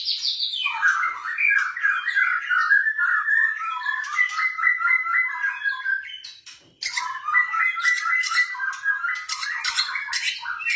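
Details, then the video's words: White-rumped shama, blorok type, caged, song used to stimulate other birds: long runs of rapid repeated warbling notes, a short quiet gap near seven seconds, then further fast chatter with sharp high clicks. "OCEHAN MURAI BATU BLOROK )PANCINGAN MURAI BATU MLAS BUNYI"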